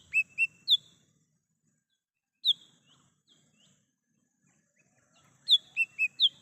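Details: Wild lesser green leafbird, recorded as a lure. Bursts of clear whistled notes: three at the start, one high whistle with soft faint notes in the middle, then a quick run of four notes at the end, with quiet between.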